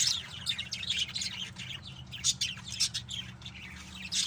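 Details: Pet lovebirds at home keep up a busy chatter of shrill squeaks and harsh chirps, irregular and overlapping, over a faint low hum.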